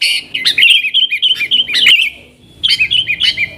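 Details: Yellow-vented bulbul singing in the lively nggaruda style, used as a lure for wild sooty-headed bulbuls: bright bubbling warbled phrases of quick chirped notes, a short pause, then another burst of rolling chirps.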